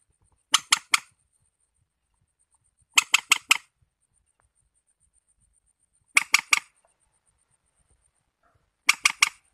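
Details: Harsh, rasping triplets from a warbler repeat roughly every three seconds, each burst of three quick chattering notes, against an otherwise quiet background with a faint high steady tone.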